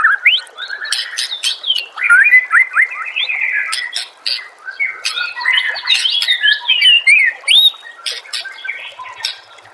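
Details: White-rumped shama master song for training other shamas to sing: a rich, continuous warble of varied whistled phrases, slurs and rising notes, interspersed with sharp clicking sounds.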